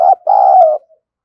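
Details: Decoy spotted dove, a bird kept to lure wild doves, singing in the thổ sấm voice style: a short low note, then a longer steady mellow coo that slides slightly downward, ending with a faint trailing note.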